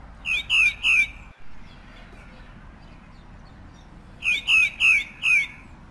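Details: Pale-breasted thrush (Turdus leucomelas) singing: two bursts of three to four loud, slurred downward notes with bright overtones, delivered quickly and separated by a roughly three-second pause, with faint distant chirps in the background.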